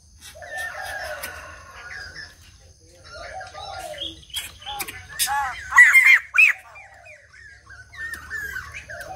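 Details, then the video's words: White-crested laughingthrush singing a mix of soft mellow notes and short chatter, building to a loud burst of rapid, wavering whistled notes before quieter phrases resume. "Chim Bạch Đầu Ông / Hót Đỉnh Cao"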